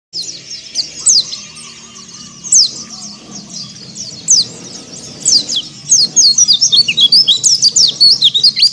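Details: White-eye singing in the ngalas style, meant to spur other white-eyes to sing: thin, very high chirps sweeping down, scattered at first, then a dense burst of rapid notes in the last three seconds, over a soft low hum.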